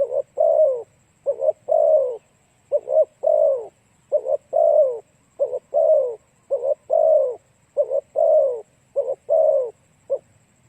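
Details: Spotted dove song used to attract and excite other doves: about seven repeated phrases, each two short mellow coos then a drawn-out descending coo, delivered at an even pace over a quiet background with a thin constant high tone.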